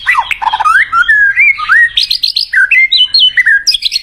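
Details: White-rumped shama in song, used to call in a mate quickly: a continuous flow of melodious whistled slurs, some rising and some falling, mixed with short high chirps and quick trills.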